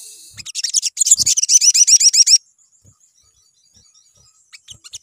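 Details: A crimson sunbird pours out a fast, very high, thin twittering run of repeated notes for about two seconds, then falls quiet apart from faint high ticks; a lure recording meant to get sunbirds singing.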